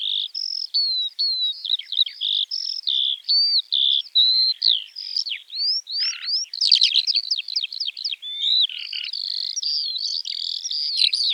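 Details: Eurasian Skylark, a bird of European fields and meadows, delivering a long, continuous high warble mixing clear whistled slurs, rapid rattling trills around the middle and bubbling notes, against a clean, quiet background.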